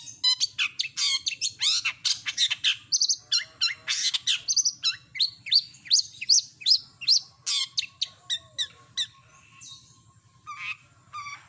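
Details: Long-tailed shrike (cendet) singing a complete mimicry repertoire for tutoring songbirds: dense runs of sharp chirps, trills and rising slurred whistles, thinning to scattered notes near the end, over a faint low hum.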